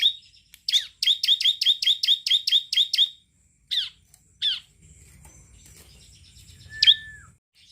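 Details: Bar-winged prinia in lively song: a quick run of about ten sharp, high repeated chips, then a few scattered single notes, a brief low rumble, and a clear downslurred whistle.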